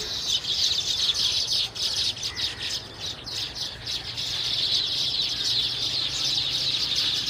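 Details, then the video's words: Baya weavers flocking in cultivated land or scrub, producing a bright continuous chatter of high chirps and sizzling notes, loudest at first then steady. "Baya weavers birds sound effect"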